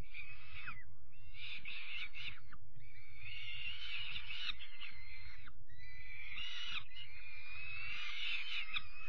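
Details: Peregrine falcon chicks calling while being fed dinner on 5 May 2021; rasping, wheezing screeches in long overlapping bursts, some rising and falling, with low background rumble and faint knocks.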